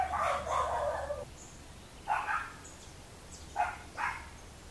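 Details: Boat-billed flycatcher filmed in the hamlet of Miraflores, Barinitas, Barinas, Venezuela, gives a harsh, rasping chatter about a second long, then three short scratchy notes spaced a second or two apart; faint low hum behind.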